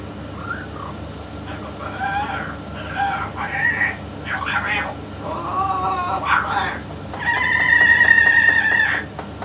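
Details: Talking yellow-naped amazon, with a parrot expert present, giving short broken speech-like syllables that build to a long, loud, steady drawn-out vocal near the end, over constant low hum.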